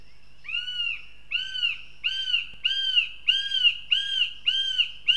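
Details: Young female northern goshawk visiting the nest near Riga, Latvia, giving a run of eight loud, arched, whining calls, each rising then falling, spaced roughly half a second apart against a quiet background.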